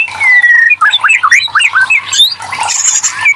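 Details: Lure song of a white-rumped shama for prompting quiet birds to respond: a long falling whistle opens, followed by a busy jumble of short slurred whistles and high chirps, with a steady low hum beneath.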